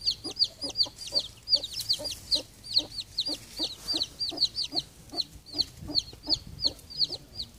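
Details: Three newly hatched chicks with their broody hen in October, being coaxed back into the coop; shrill downward-sliding peeps come in quick succession, about two to three per second, above low, steady hen clucks.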